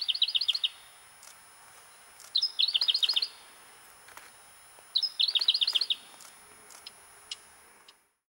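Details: Male pink robin giving three short bursts of rapid, high-pitched twittering notes about every two and a half seconds, with faint clicks and ticks between them.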